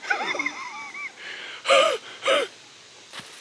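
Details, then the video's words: Red-shouldered Hawk (identification likely but unconfirmed), heard while hiking the Gibson Lake Loop in Frontenac Provincial Park, Ontario, in autumn; two loud, harsh, down-slurred screams about half a second apart, after softer warbled notes. "That's the hawk you just heard."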